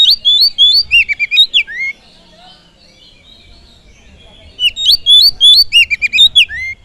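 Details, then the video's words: Oriental magpie-robin song used as a lure to provoke and excite other birds: a burst of loud, varied whistled notes rising and falling, a silent pause of about three seconds, then a second similar whistled burst. "Pancingan kacer full durasi || SEKALI PANCING BURUNG ANDA LANGSUNG PANAS"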